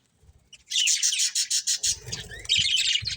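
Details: Budgerigars in a breeding colony, a breeding pair among them, giving a fast series of high, buzzy chirps in regular pulses, then a dense burst of overlapping warbled chirps, with faint low rustling beneath.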